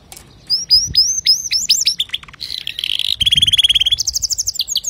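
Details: Male canary singing clean song meant for tutoring young canaries, a sequence of upward-sweeping whistles, dense buzzy rolls and steady rapid trills at a high pitch, phrases changing every second or so.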